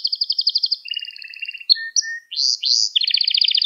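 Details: Canary song for teaching young canaries: rapid pulsed trills at two pitches, a low whistle, two rising-falling swoops and a closing fast trill, without pauses.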